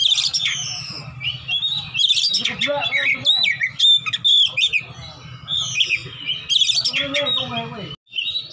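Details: Combative Oriental magpie-robin seeking a rival, ngeplong-ngeplong song: rapid whistled runs and twangy downslurs with abrupt pauses, over a low hum and faint human voices.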